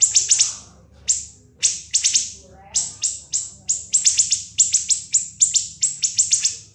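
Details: [['Sharp, shrill siri-siri song used as masteran: short clusters of high, falling notes, then an unbroken run of evenly spaced punchy chips, clean and loud.']]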